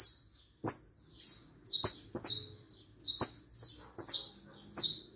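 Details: Hooded siskin from Uruguay singing a run of high, thin twittering notes in short bursts with sharp clicks between phrases, over a quiet background.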